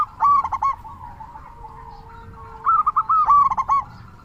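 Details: Local zebra dove, used as a lure to spur other doves into calling: a stuttering coo burst followed after a pause by a run of quick, rhythmic rolling notes.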